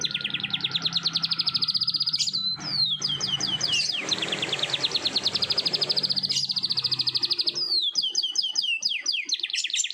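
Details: Morning canary in a long rolled song: dense high buzzing trills held for seconds, interrupted by falling swept notes and a rolling passage, with faint low hum underneath.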